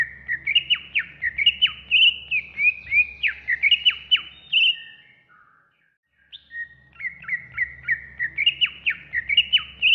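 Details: Cucak ijo (greater green leafbird) training song for caged birds, suited to morning or evening: dense run of varied chirps and slurred down-sweeping whistles, a silent gap near six seconds, then a fresh series of quick repeated notes over a faint low hum.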